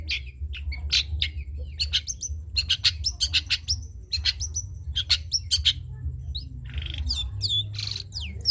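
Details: Long-tailed shrike singing a dense trotol-style song, meant for other birds to imitate: rapid varied chips, trills and slurred whistles pouring out almost continuously, with a low background hum.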